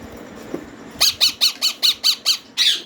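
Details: Ringneck parrot chicks begging at feed time: eight harsh, raspy squawks repeated evenly about every quarter second, loud and insistent, with a faint knock just before.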